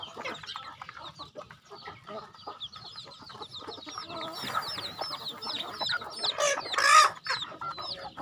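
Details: Farm chickens at feeding time give many overlapping thin, downward-sliding peeps, getting louder toward the end, with a burst of scratchy noise near the close.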